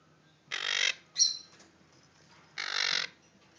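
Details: Young pet monk (Quaker) parakeets, from a caged group of four babies (two males, two females), give harsh, broadband squawks: two long rasping calls with a short sharp squeak between.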